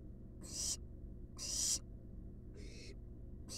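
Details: Barn owl chicks resting in a wild, monitored nest box produce a quick series of four harsh hissing bursts about a second apart, the later ones fainter, over a low hum.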